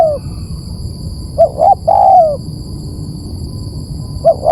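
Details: Spotted dove cooing, played to lure birds. A single phrase of two clipped notes runs into a drawn-out coo that drops in pitch, followed by quiet, and the start of the next phrase. A thin high whine persists.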